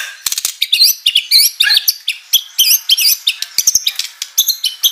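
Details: Lively white-rumped shama in full song packed with learned material: dense, rapid high chirps and twisting whistled notes, pulsing several times a second without pause.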